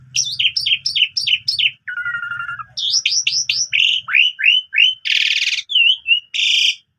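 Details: Morning song of an Asian pied starling, used as tutoring material for young canaries: five rapid repeated chirps, a flat buzzy note, a run of down-slurred whistles, then harsh rasping bursts between clear whistles.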